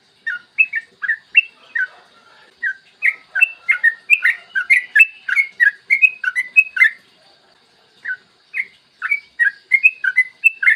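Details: Yellow-vented bulbul in energetic long 'ropel' song, morning, a tutor recording for luring bulbuls into song. Rapid bubbling chirped notes pour out in fast runs, pausing about a second before resuming.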